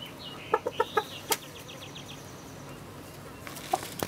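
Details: Chickens recorded on 7 June 2016: a quick run of five loud short clucks, then a string of higher chirping notes, followed by quieter background hum and a single later cluck.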